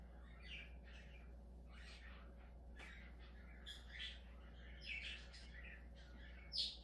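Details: Budgerigar calling: scattered scratchy warbles and soft chirps, one sharper squeak near the end, over a constant low hum.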